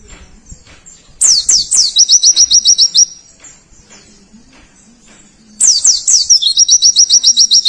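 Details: Dakun-type Oriental white-eye in full rapid song with rich fill: two high-pitched bursts, each beginning with thin falling whistles and running into a quick string of clipped, repeated chirps, separated by a quiet pause.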